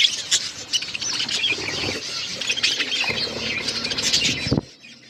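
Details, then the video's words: Caged pet budgies chirping as they eat seeds; a steady stream of high rasping chirps and squawks from several birds, with soft tapping and pecking sounds, ending abruptly in near silence. "My beautiful budgies eating seeds birds chirping sound"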